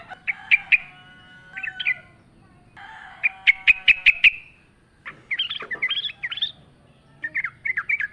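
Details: Wild yellow-vented bulbul singing actively among natural sounds: short chirpy phrases, a burst of quick bright repeated notes, then a longer bubbling, tumbling warble of varied notes.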